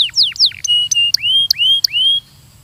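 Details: Belgian canary training song: twisting downslurred notes, then long rising whistles punctuated by sharp clicks, repeated several times.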